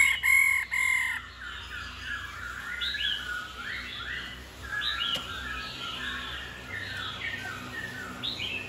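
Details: Female laughingthrush that sings daily to stir up males: short repeated warbled notes over steady background noise, with a louder burst at the start.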